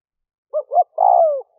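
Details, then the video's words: Spotted dove decoy call used to lure wild doves: two short coos followed by a long, drawn-out falling coo, all low and mellow, in a quiet setting. "Tiếng chim cu gáy kích bổi nhanh nổi"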